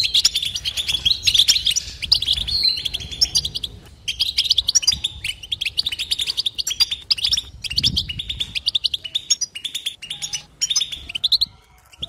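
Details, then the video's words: European goldfinch giving batbata, its continuous pause-free song: lively high twittering in bursts, with sharp ticking chirps and short tinkling phrases that tumble quickly after one another. "بتبته حسون لا صمت"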